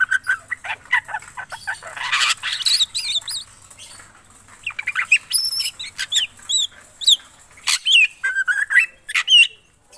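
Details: Black drongo singing busily, with loud harsh chattering followed by clear, upward-bending whistled notes and sharp clicks in an uneven, energetic sequence.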